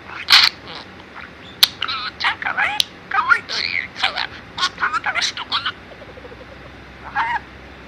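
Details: Male budgerigar, four years old, kept as a pet in Mie, Japan, talking in Kansai dialect learned from its owners. A dense run of shrill, buzzy speech-like syllables lasts several seconds, then stops, followed by one brief chirped phrase.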